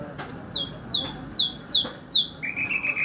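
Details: Nightingale song of five loud descending whistled notes about every half second, followed by a fast warbling trill.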